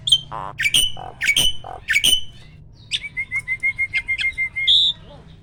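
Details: Award-winning caged starling: several loud sharp upslurred calls, then a steady series of about twelve short clipped whistles at one pitch, ending in a higher buzzy note.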